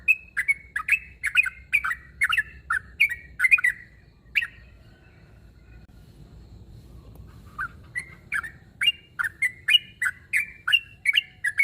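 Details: Rival-calling sooty-headed bulbul: a quick series of clear chirps for about four seconds, several quiet seconds, then the chirping series resumes and continues to the end.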